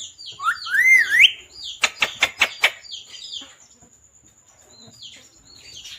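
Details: Parrot chirping: a loud whistled note that dips and then rises, then a quick run of five sharp clicking taps, followed by softer scattered high chirps and a thin steady high tone in the background.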